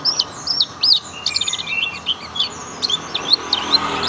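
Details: Young oriental white-eye in 'tembakan' song: fast, tumbling series of thin, high, twisting chirps, about two or three per second, run almost without pause.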